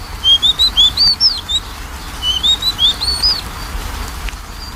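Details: Magpie-robin singing, used to prompt a lazy singer: two matching phrases of five or six bright whistled notes climbing in pitch, the second phrase softer, over faint background hum.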